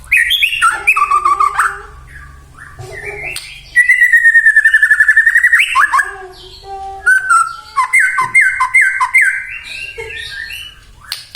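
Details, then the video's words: Singing white-rumped shama, played to goad other shamas into song: varied whistled phrases, a long rapid trill, then a series of repeated downslurred whistles about three per second. "murai batu gacor AMPUH buat PANCINGAN murai batu agar bunyi"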